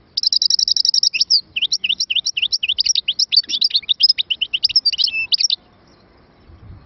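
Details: European goldfinch opening with a quick buzzy pulsed trill, then a long brisk run of high, sharp, slurred chirps and twitters lasting about five seconds before stopping.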